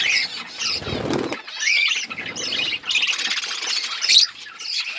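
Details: Outdoor aviary budgerigars feeding on seeds in a forest setting; a burst of wing flapping, then continuous high chattering warbles and squeaky chirps from several birds.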